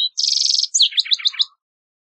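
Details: Green-tailed towhee singing a rapid high buzzy trill that breaks into a tumbling run of descending slurred chirps, ending abruptly, with no other sounds.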